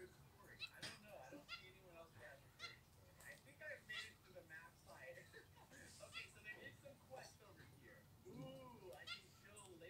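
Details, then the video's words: Two pet Zebra finches, with two white birds mentioned, chatter in a busy, overlapping stream of short nasal beeps and toy-trumpet honks, several calling at once in a small room. "Zebra Finch"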